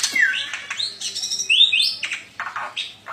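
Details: A black-winged myna (Acridotheres melanopterus) sings a rapid medley of bright whistles, upward slurs and harsh chattering notes, packed into a few busy seconds.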